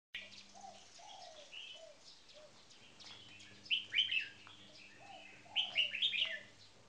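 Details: Caged red-whiskered bulbuls, two birds: one a marathon frequency singing bird, the other on its first day in a cage. Bright warbled phrases repeat at intervals over lower soft arched notes and a steady electrical hum.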